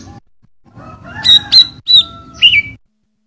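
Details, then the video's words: Greater green leafbird vocal master for tutoring cage birds and coaxing lazy singers: four loud, clear whistled notes, the last sliding downward, over a low steady hum. "CUCAK IJO GURU VOKAL"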